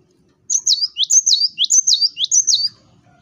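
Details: Energetic gelatik batu (cinereous tit) song for baiting rival birds: a fast run of five ringing two-note phrases, each a high whistle swooping down, repeated evenly over two seconds.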